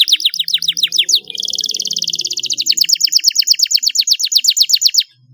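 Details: Canary song used as a lure to get quiet canaries singing: fast runs of sharp, high chirps, then a long, rapid rolling trill of repeated notes lasting about four seconds.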